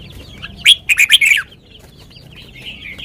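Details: Red-whiskered bulbul singing a sweet song in the lak wai style: one loud burst of about five quick, warbled, slurred whistles lasting under a second, over faint chirping from other birds in the background.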